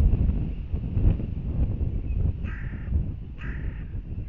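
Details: Hooded crows fighting at a northern goshawk nest camera in Riga, Latvia, 10 April 2021: two short, harsh caws about a second apart over steady low rumbling background noise.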